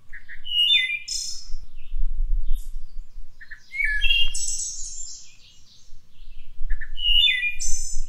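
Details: Wood thrush in the Cincinnati, Ohio area singing three flute-like phrases about three seconds apart, each opening with soft low notes and closing in a high, shimmering trill, over a low background rumble.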